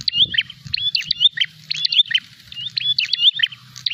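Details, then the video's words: A prinia calls while fighting and seeking a rival, short bursts of sharp chirps and rising whistled notes, repeated close together, over a low steady hum. "prenjak gacor narung mencari lawan"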